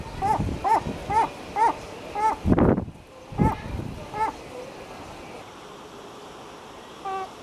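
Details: A herring gull at the breeding colony calls in a rhythmic run of short, strident, yelping notes roughly every half second. A loud rustling thump interrupts partway, then a few more notes and a faint distant call.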